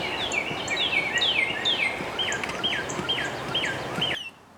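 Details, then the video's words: Northern cardinal whistling over steady broadband background noise: several downslurred notes, then a series of looping whistles that curve up and down, about two per second. The recording cuts to near silence at the end. "Sound of Northern Cardinal"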